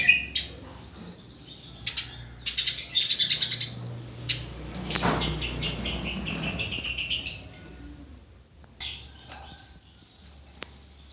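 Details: Burung gereja (Eurasian tree sparrow) recorded for training songbirds; scattered sharp chirps build into a rapid buzzing chatter of fast repeated notes, with a brief rushing noise midway, then a few spaced chirps.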